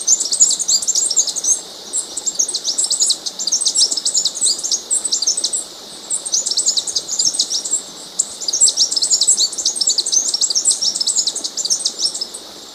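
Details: Blue-backed conebill (Conirostrum sitticolor) singing a long series of very high, rapid, tinkling chips in bursts of one to two seconds separated by short pauses, with a faint steady hiss beneath.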